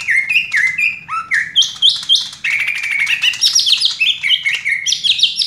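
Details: Green leafbird (cucak ijo), a caged male-style performer of "raja tembak" song, sitting still on one perch: quick chains of bright whistles, dropping slurs, then a rising, denser stretch of high trilled phrases.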